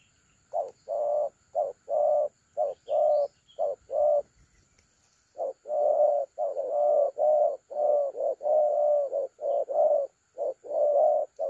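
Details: Spotted dove, a trap-caller bird of the thổ calam style, recorded 30 October 2022, giving loud, low cooing notes in phrases of short and long coos, a pause near four seconds, then a longer run; steady faint high hum behind.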